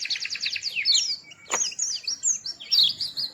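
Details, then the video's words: Small white-eye with a sweet voice gives a fast stuttering trill, then high slurred whistles; a sharp knock interrupts briefly. "Burung Kecil Pleci Bersuara Merdu"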